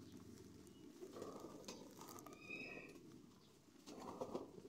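Domestic pigeons give low, soft, throaty cooing in rolling bursts, with a brief higher chirp from another bird partway through.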